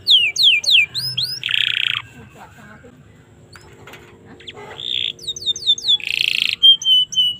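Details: Canary song from Indonesia, played to teach and stimulate young canaries: bright downslurred whistles and buzzy bursts, a quiet pause with faint clicks, then more buzzes and a fast high trill.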